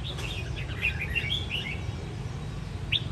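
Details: A red-whiskered bulbul, a fighting bird in a home contest arena in Quang Nam, Vietnam, gives a quick run of bright, chirpy whistled notes, then a lone sharp note near the end, over a steady low hum.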